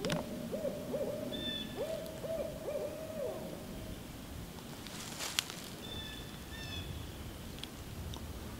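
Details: A Barred Owl heard unexpectedly while a cardinal's song was being filmed gives a rhythmic run of deep, wavering hoots for about four seconds. Thin whistled notes from another bird and a sharp click follow.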